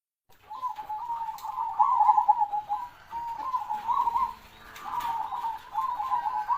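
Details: Zebra dove with a big, strong voice singing continuously: rolling, stuttering cooing phrases run together over a steady hum of background noise and faint other sounds.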